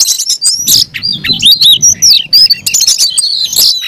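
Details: Oriental magpie-robin kept in a cage, delivering an aggressive fighting song: rapid string of sharp rising and falling whistles, chattering notes and scratchy bursts in quick succession, with faint low background rumble.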